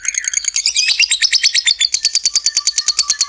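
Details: Lovebird giving a long ngekek trill, played as a lure to stir other lovebirds into singing: rapid, evenly repeated high, shrill chirps of about ten per second, running steadily with slight shifts in pitch. No other sounds.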